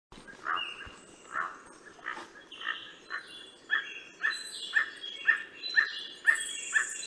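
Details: Emerald toucanet (Aulacorhynchus prasinus) calling: a steady series of hoarse, barking croaks, about two per second, with faint high bird or insect chatter in the background.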